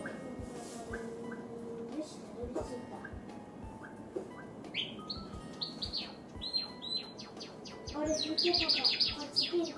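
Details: Pet white Java sparrow indoors, excited by the sound of a hair dryer, moving around and starting to sing: a run of short, bright, high chirping notes that speeds into a quick repeated series near the end, over steady dryer-like hiss.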